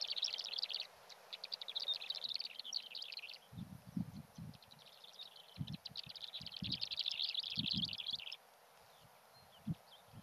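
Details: Black-bellied sandgrouse on Fuerteventura giving two long bursts of fast, rattling, high chatter, separated by a short pause. Low thumping noises like wind or handling are heard underneath.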